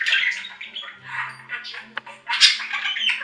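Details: Budgies warbling in a small room: raspy chirps and buzzy twitters rising and falling, a brief dip to near quiet midway, then a louder burst of squeaky chatter.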